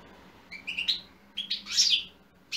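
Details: Goldfinch singing in 2020, its song used to stir other goldfinches: a few thin chips build into a rich, rapid buzzy twitter, then pause before another note begins, a soft hum in the background.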